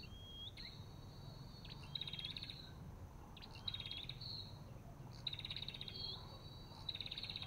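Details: Olive-backed tailorbird calling: a clear whistled note sliding upward, then a dry buzzy rattling burst, the pattern repeated roughly every one and a half seconds over a low steady rumble.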